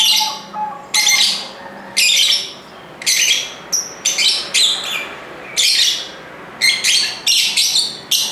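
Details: Lively chorus of lovebirds: harsh, high, buzzy squawks in bursts roughly once a second, some short and clipped, others drawn out and grating, with a faint low tone in the background early on.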